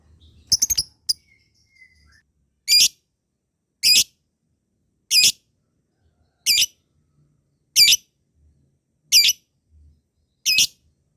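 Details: Lovebird chirping, a sound used to tempt lazy lovebirds into long ngekek: a few quick sharp notes, then seven evenly spaced, loud, piercing single chirps roughly every 1.3 seconds.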